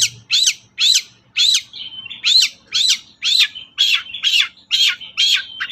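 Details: Lure recording of a long-tailed shrike to coax shrikes into singing: harsh, squawky notes repeated about twice a second, with short flat whistles between them.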